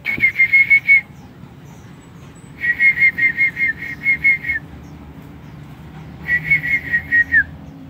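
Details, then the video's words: A white-rumped shama kept in an aviary gives three bursts of clear, evenly spaced whistled notes, about five per second, the last phrase ending in a drop. "chích chòe lửa"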